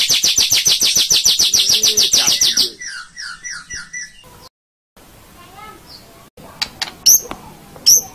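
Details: White-rumped shama song used to train caged birds, morning or evening: a loud, rapid, harsh trill of repeated notes lasting over two seconds, followed by softer slurred whistles and scattered high chips after a brief silence.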